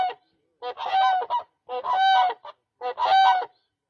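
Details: Three loud, harmonic, trumpeting honks from a demoiselle crane, each call lasting under a second, with a rough, rolling quality and short pauses between them.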